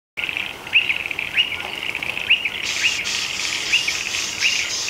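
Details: Striated pardalotes at a new nest in a shed roof, entering and leaving; short, sharp, slightly arched notes repeated roughly every three quarters of a second over a steady high insect drone.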